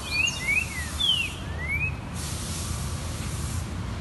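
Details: Green-winged saltator singing in nature on 1 December, giving a quick run of clear, slurred whistles, some rising and some falling, over about two seconds, with steady low rumbling background noise.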